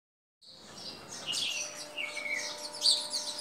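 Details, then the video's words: Sparrows chirp and twitter in a busy, high-pitched stream of overlapping sweet song notes, with a faint steady hum underneath; sparrow. "sweet sweet sparrow songs"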